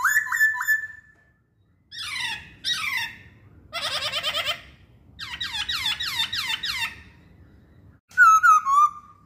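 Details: Masked laughingthrush song: a loud whistled note near the start, then bursts of rapid descending buzzy chirps separated by short pauses, ending in a strong falling whistled phrase.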